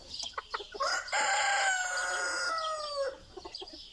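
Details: Gold Sebright chicken, kept as an ornamental breed in Istanbul, Turkey, in 2020: a single long drawn-out crow, strained and harmonic, holding steady then falling at the end, framed by short clucks and chatter from other birds.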